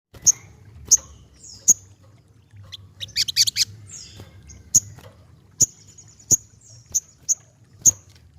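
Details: Ruby-cheeked sunbird singing actively: sharp, very high chips at irregular intervals, with a brief buzzy trilled burst in the middle, over a faint low hum.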